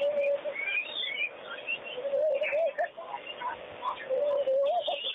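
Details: Wattled starlings bathing at a pond give low, wavering whistled notes with rising slurs, plus scattered higher chattering calls over a steady background hiss.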